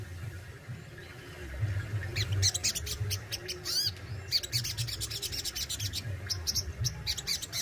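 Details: A sogon, or Crimson Sunbird, kept and in strong song with besetan and tembakan phrases. Quiet at first, then it breaks into bursts of high, scratchy, rattling notes and a few sharp rising chips over a low rumble.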